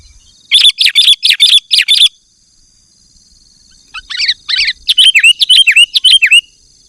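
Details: Lure recording of an actively singing sooty-headed bulbul: a quick series of bright repeated chirps, a silent gap, then a few rough notes and a run of down-slurred whistled chirps, over a faint steady high whine.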